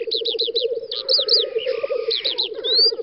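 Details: Black grouse displaying at a lek on a spring field, Volga federal district, western Russia, 9-10 May 2019: continuous low rolling bubbling coos throughout, overlaid by high repeated whistled and chirping notes from other birds.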